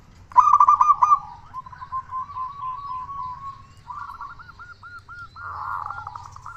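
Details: Local zebra dove with a big voice, recorded as a lure to get other doves calling: a loud stuttered opening, a long even trill of soft cooing notes, then a string of separate hooked, rolling coos.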